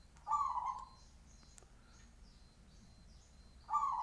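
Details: Zebra dove of local stock, noted for its big voice, giving two full, mellow coos about three and a half seconds apart, each slightly rolling; faint high thin calls of other birds and a low hum between them.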